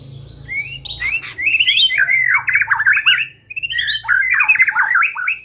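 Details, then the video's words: White-rumped shama song used as a lure to make the bird sing: a rising whistle, then loud rapid chattering runs of slurred notes in two bursts, with a low hum underneath. "Pikat Murai Batu Dengan PANCINGAN GACOR Ini Di Jamin Macet Langsung Bunyi"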